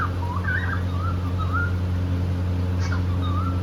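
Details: Pet cockatiel couple, happy and playing, singing a run of rising and falling whistled notes that slide and wobble, then pause, with a last short whistle near the end, over a constant low mechanical hum.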